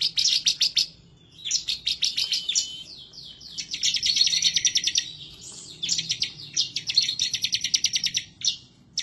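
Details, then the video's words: Bar-winged prinia singing excitedly and insistently, as if seeking a rival, used as a master song to prompt other birds: bursts of rapid, sharp, high chipping notes in rolling phrases of about a second, separated by short pauses. "Ciblek Semi, Gacor nembak ngebren ngotot emosi"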